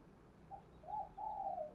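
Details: Spotted dove coo played to stir other doves to answer: a brief note followed by two drawn-out, soft, low phrases over a steady background hum.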